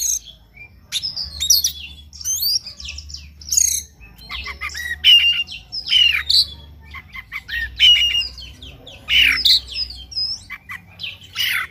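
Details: Oriental magpie-robin singing in the morning, played as a lure to stimulate another bird to sing with its full repertoire: varied bursts of high whistles, trills and buzzy notes in short phrases, with a low hum beneath.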